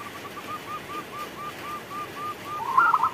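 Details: Local zebra dove singing while rain falls: a steady run of short, soft, evenly spaced notes, about four per second, ending in a louder burst.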